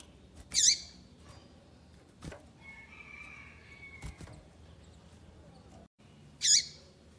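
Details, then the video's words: Female double-collared seedeater giving two rasping high calls several seconds apart to urge a male to sing. A faint steady whistle and a few soft clicks fall between them. "FÊMEA PAPA CAPIM PIANDO PARA O SEU PAPA CAPIM FICAR LOUCO PRA CANTAR"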